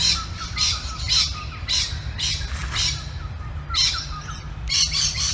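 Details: Birds identified as lorikeets, though possibly noisy miners, give harsh, grating squawks in bursts about once a second, several birds overlapping, over a steady low rumble.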